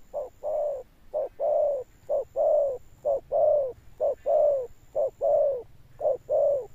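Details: Spotted dove cooing in a deep 'thunder tone' with an enduring finish. Its mellow low notes fall into short-long pairs, the long notes sagging slightly in pitch, and repeat steadily about once a second.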